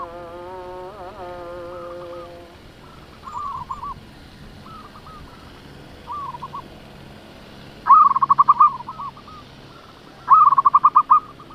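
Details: Local zebra dove kept as a decoy to rile other doves: scattered soft, quiet coo phrases over faint background hiss, then two short, louder bursts of fast repeated bubbling notes.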